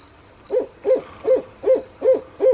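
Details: Owl heard at night giving six evenly spaced, short mid-pitched hoots, one about every third of a second, each rising then falling slightly, with a thin constant high-pitched hiss behind.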